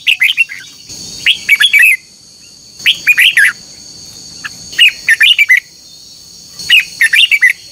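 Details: Captive red-whiskered bulbul in morning duel singing, a recording used to train and stir other bulbuls to sing: five quick bursts of bright, warbled notes dropping in pitch, spaced irregularly over a steady high insect-like drone.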